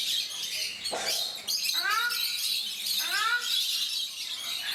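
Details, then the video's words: Captive ruddy shelducks, known in India as Brahminy ducks, at Mysore Zoo give two loud, nasal, arched honking calls about a second apart, set against dense high-pitched chirping of other birds. "Ruddy Shelducks / Brahminy Ducks Making Sounds"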